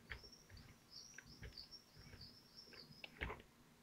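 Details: Common kestrel family at the nest in Théding, 25 June 2023, at feeding time; an unbroken string of shrill, high, slightly wavering notes repeated several times a second, over soft knocks and shuffling.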